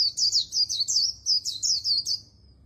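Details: Oriental white-eye in very fast líu đấu song style, said to carry a magpie-robin-like voice: about ten high, bright, swooping twittered notes strung rapidly together over a quiet background.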